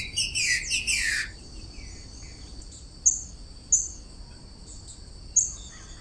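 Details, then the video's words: A female green-winged saltator sings a rich, fast whistled phrase lasting about a second, then three sharp, high isolated notes, over a steady thin high hum. "TRINCA-FERRO FÊMEA CANTANDO?"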